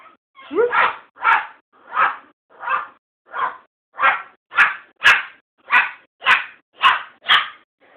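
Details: Pet bird barking and growling, kept indoors: a run of about thirteen short, harsh, dog-like barks, one roughly every half second, each a noisy burst with no clear tone, loud and close.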